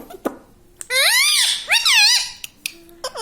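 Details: Pet parrot indoors, said to say "mummy papa", gives two long arching, harmonic, voice-like syllables in a row. Soft clicks come before and after, and a short rising note closes it.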